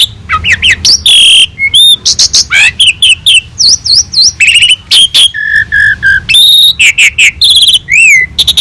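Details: Asian pied starling (jalak suren) in lively master song for tutoring other birds: rapid slurred whistles, brief buzzy notes and a steady low-pitched whistled run in the middle, rising and falling throughout.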